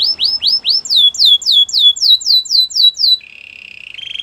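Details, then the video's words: Belgian canary singing a series of loud, fast down-slurred whistled notes, about four per second, that rise in pitch partway through, then switching to a steady high buzzy trill near the end. "Belgian canary song"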